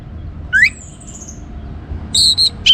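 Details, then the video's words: Sparse orange-headed thrush song, meant to get other birds singing: one upward-slurred whistle, a quiet pause, then two loud high whistled notes and a final sharp chip, over a faint low hum. "ANIS MERAH Gacor Untuk Memancing Burung Jadi NGeplong Bahkan Teler"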